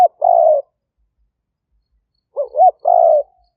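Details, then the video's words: Decoy spotted dove of a fierce strain calling to draw in wild doves, Roi Et province, Thailand, 2021; the tail of one coo, a pause, then a full phrase: two short wavering notes followed by a sustained rough coo. "เสียงต่อนก หลิ่วตันสายพันธุ์ดุ #8 นกป่าเรียกกุกเข้าเร็ว เสียงนกเขาใหญ่ป่าเต็ม100"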